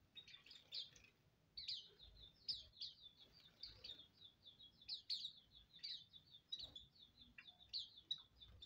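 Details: Colony of Hume's white-eyes bathing; high, thin chirps and short twittering notes tumble over one another almost continuously, with sharper bursts every second or so over faint low background noise.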